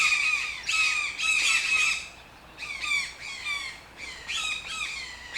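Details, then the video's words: Toucan letting out loud, grating squawk series at first, then softer, scattered downslurred croaks after a short lull. "TOUCAN SOUNDS - Toucan Sound Effect"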